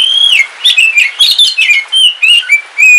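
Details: Captive black oriental magpie-robin of the Kalimantan form, a pet kept at home, singing on a rainy day: loud clear whistles sliding up and down, broken into short varied phrases with brief pauses.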